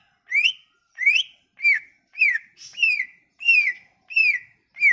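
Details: Sumatran leafbird lure song for leafbirds that refuse to sing: eight loud whistled notes at an even pace of about one every 0.6 seconds, first rising, then arching downward, with faint higher whistles overlaid.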